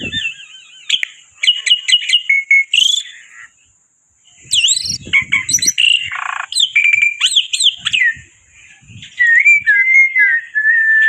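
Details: White starling singing lively as a lure bird: varied whistled phrases, rapid trills, rising and falling slurs and harsh notes, with a steady high background hiss and a few low knocks.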